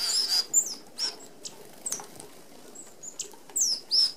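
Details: A flock of Red-browed finches feeds together at an open aviary feeder with 25 mm mesh that excludes sparrows and larger birds. Sharp, high thin calls, some slightly falling, come every half second or so, mixed with soft whirring wingbeats.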